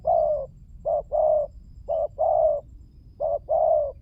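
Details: Spotted dove, a recording used as a lure to draw other doves, giving low, hollow coos in short-then-long pairs, three pairs repeated about every 1.3 seconds over a faint low rumble.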